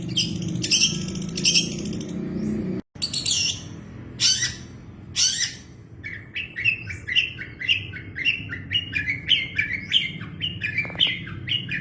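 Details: Long-tailed shrike master song for training cage birds: harsh broadband scratchy bursts early, a brief break, then a run of short rising two-part chirps near the upper-middle range repeated about twice a second, over a steady low hum.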